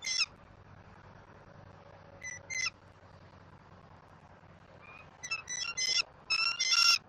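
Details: Young bald eagle at a nest in Southwest Florida, 5 February 2024, during a fish feeding by the adult female. Scattered brief high chips and squeaky notes, quiet at first, then a rapid cluster near the end.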